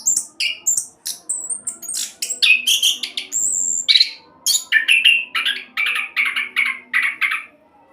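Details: Fast orange-headed thrush roll song used to make other birds sing, opening with high whistles and slurs and ending in a repeated series of buzzy notes before fading.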